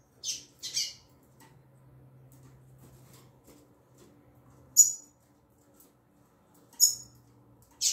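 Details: Female double-collared seedeater in 'tui tui zel zel' song style. Early on, a quick pair of high buzzy notes. Later, single bright notes come every two seconds or so, with a low steady hum underneath.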